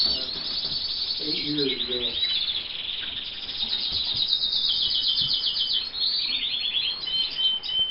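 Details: Roller canary singing inside a Montana breeder's bird house, other canaries nearby; dense high rolling trills and rapid chirped phrases run almost without pause, with faint low voices of people talking in the background.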